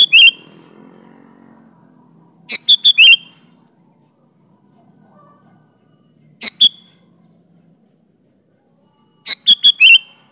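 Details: Sooty-headed bulbul song meant to draw bulbuls into replying. Crisp clusters of three to four chirped notes alternate with single short notes, separated by pauses of up to three seconds in near silence.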